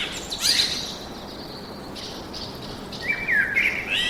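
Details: Woodland bird singing: a brief high chirp burst early on, a quiet gap, then a clear whistled phrase sliding downward before more chirping near the end, against faint forest ambience.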